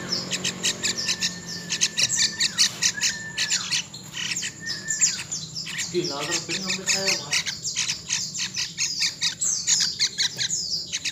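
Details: A young Yellow-vented Bulbul (Pycnonotus goiavier) chick gives rapid, harsh, squawky chattering calls in quick bursts, high-pitched and scratchy, with a brief lower voice-like sound midway.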